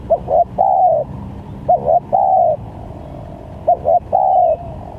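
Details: Spotted dove lure for trapping, varied calls: repeated phrases of two clipped coos then a long smooth coo dropping slightly in pitch, about every two seconds, steady low noise beneath.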